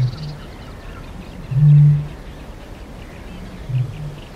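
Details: Eurasian bittern booming at medium-close range: three deep, hollow, foghorn-like booms, the middle one loudest and longest, about two seconds apart. Soft small-bird calls, said to include blue tit, wren, wood pigeon and reed warbler, are faint behind them.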